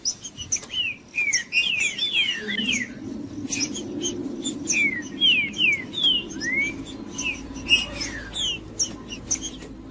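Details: Green-winged saltator singing, played to warm up a cold bird: a busy run of clear whistled notes, many sliding downward, some rising, delivered in quick uneven bursts over a low background hum.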